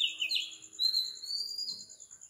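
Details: Predawn song of an Oriental magpie-robin in Sri Lanka at 4 am: a few quick slurred notes, then a long, clear whistle that slowly rises in pitch. A rhythmic high insect buzz continues throughout.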